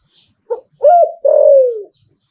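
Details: Spotted dove singing in the หลิ่วตัน (liu tan) style. A short soft note leads into a loud two-part coo ending in a long, smooth, slowly falling note. Quiet surroundings.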